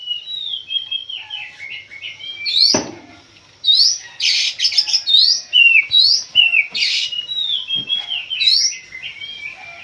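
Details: Kacer (Oriental magpie-robin) pitted against a rival in pacingan, singing vigorously. Rapid series of looping upslurred whistles and descending notes, punctuated by harsh grating bursts and a sharp click near the start.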